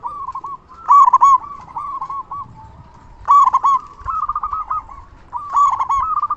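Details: Zebra dove of a local strain, loud cooing meant to make other doves reply and stir them: three bursts of rapid rolling coo notes, each starting with a stronger accented note.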